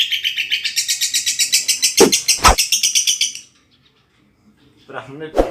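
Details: Lovebird ngekek chatter intended to coax silent birds to sing: a quick run of shrill pulsed chirps lasting a few seconds, broken by two sharp clicks, followed by quiet and then brief human speech.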